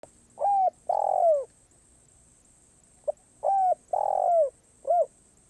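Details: Spotted dove singing in the karom pa roi song style, described as off cue. Two mellow cooing phrases about three seconds apart, each a short note followed by a longer coo that rises then slurs downward, over a quiet background.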